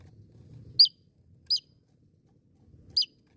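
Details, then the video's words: Three isolated, sharp, high notes from a Javan tesia, each slurring quickly downward, spaced about three quarters of a second apart, with faint low rumble between. "Masteran Burung Tesia Jawa Gacor"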